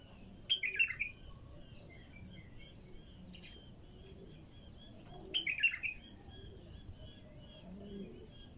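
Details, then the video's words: Raw bulbul song used to attract wild bulbuls: two short, bubbly, liquid phrases about five seconds apart, over a constant chorus of faint high chirps from other birds. "تغريد بلبل خام"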